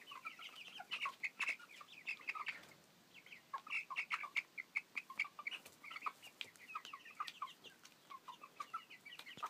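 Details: Noisy, happy seven-week-old chicks, thirteen birds of four breeds raised naturally: bursts of many shrill overlapping peeps and chirps, a brief lull near the middle, then dense chirping again with sharp clicks and scuffs.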